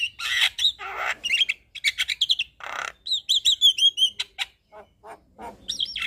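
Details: Javan myna in lively, chattering song full of 'isian' fill-in phrases, meant to prompt silent mynas to respond; harsh rasps mixed with fast clicks and a bright trill of high whistled notes.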